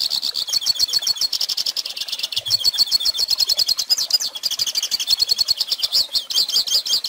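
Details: Continuous song of a hooded siskin, used as a tutor recording for young birds: fast, chattering high-pitched warble of rapid repeated chips and short trills, dense and unbroken throughout, with a clean, quiet background.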